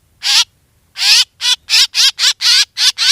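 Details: Black drongo recording used to lure birds for hunting, with eight loud rasping, buzzy notes, each short and rich in wavering overtones, spaced unevenly about every third of a second after an opening gap.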